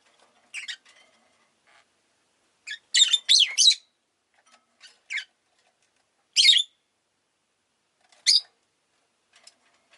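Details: Sparse, piercing chirps from pet rosy-faced lovebirds, a group that called a lot that day, with one louder scratchy burst near three seconds and isolated short notes spread across the rest.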